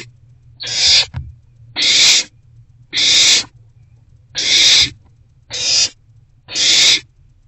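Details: Wild owl at a nest box on the evening of 29 March 2024, around 7:41 pm, during rodent deliveries. Six harsh, breathy hissing bursts, each about half a second long, come at irregular intervals of roughly one second. Faint low hum underneath.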